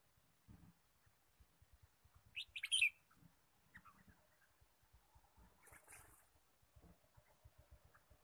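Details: Wild red-whiskered bulbul, forest bird trapping, 23 March 2017: one loud cluster of bright chirping notes, then fainter chirps later, over a steady series of soft low tapping sounds.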